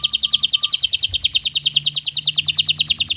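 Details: Bottle-green local canary in a training song for young birds: a fast, even trill of bright high chirps repeated about three times a second, each note slightly falling, with a faint low hum.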